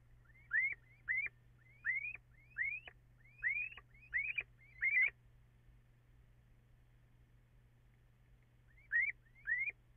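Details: Possibly two little owls calling together on 14 April just before 5 a.m., though echo and poor sync leave this uncertain: sharp rising 'kiew' notes, about nine in quick succession, a pause, then a final pair over a faint hum.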